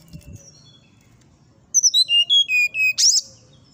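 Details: Brown-chested jungle flycatcher singing in the morning: a run of about seven clear whistled notes stepping downward, followed by a quick burst of sharp, very high notes, over a faint low background hum.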